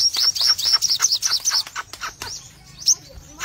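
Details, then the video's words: Crimson sunbird singing a fast burst of thin, very high chirps, about a dozen in two seconds, then a few scattered notes. "Sogon Gacor Ngobra Full Tembakan"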